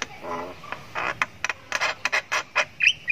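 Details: A Javan myna nestling, known as jalak kebo, chirps in a long ngriwik while learning sounds; a rapid run of rasping notes ends in two short whistled notes.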